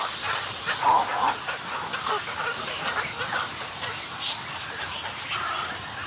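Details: Harsh croaking from a snowy egret colony. A strong nasal squawk near the start is followed by scattered rasping calls and a dry clicking chatter that slowly fades.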